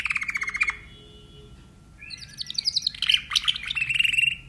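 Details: Timbrado canary delivering a fast downward-sloping trill, a short pause, then a high jumbled run of notes settling into a bright steady rolling trill.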